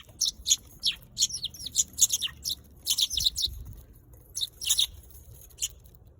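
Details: Eurasian tree sparrow producing lively, high chirps in bunched groups, some notes dropping in pitch, with a gap near the middle and a soft low bump.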